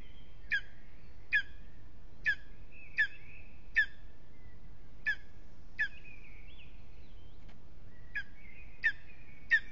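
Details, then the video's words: Evening at a lesser spotted eagle nest in an aspen, Aizkuja, Latvia: about a dozen short, sharp yelps at uneven intervals, with a few gaps and soft drawn-out whistled tones between them, over steady low background noise. "A restless evening in the nest LVM Mazais ērglis Aizkuja, apse 2 - Lesser Spotted Eagle"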